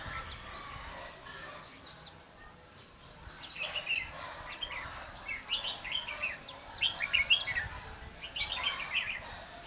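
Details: Bulbul song heard while trapping red-whiskered bulbuls on 5 November 2016: quiet opening, then dense bursts of sharp chirping, twittering notes building louder toward the end, low noise underneath.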